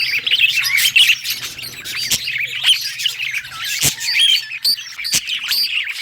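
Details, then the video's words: Parakeet song heard as happy, made of rapid twittering, squeaks and rising whistled notes, punctuated by sharp clicks, with a faint low hum under the first two thirds. "Budgie singing happy | Birds chirping | Parakeet happy life"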